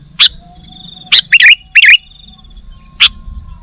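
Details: Sooty-headed bulbul singing busily: a sharp single note, then two fast phrases of looping, slurred chirps, and another lone note, against a faint high whine and low hum.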